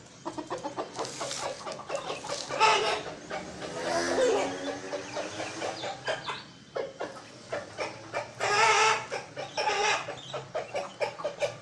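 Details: Chicken calling hens: rapid, repeated clucking runs throughout, broken by a drawn-out harmonic crowing call in the middle and another loud burst near the end, with a busy, noisy background.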